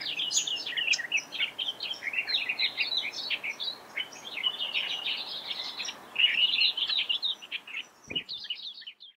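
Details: Australian reed warblers calling at Laratinga Wetlands, South Australia, 9 January 2021. Several birds give a continuous stream of loud, jumbled, chattering and warbling notes, with a brief low knock near the end. A superb fairywren also chips in.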